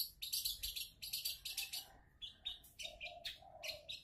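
A long-tailed shrike sings a fast, scratchy jumble of high harsh bursts mixed with clear whistled notes, some dropping low, with no pause between phrases.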